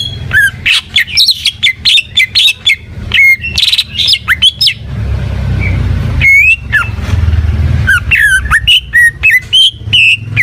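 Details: Greater green leafbird, known locally as cucak ijo, singing energetically in a rapid stream of sharp whistled notes and slurred chirps with steep up-and-down sweeps, pausing briefly mid-phrase, over a steady low background hum.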